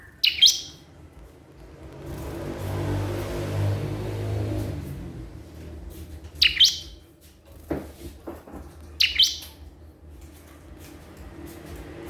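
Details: A crystal prinia calls to a rival with three short bursts of high, sharp chirps spaced several seconds apart over a low rumbling background.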